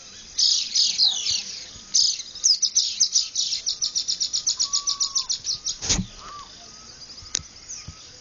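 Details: Wild birds at first light on a ranch in Ciudad de Nutrias, Barinas, Venezuelan plains, 12 February 2009: a fast run of about twenty evenly spaced high chirps, a smooth falling whistle, then quieter background twittering.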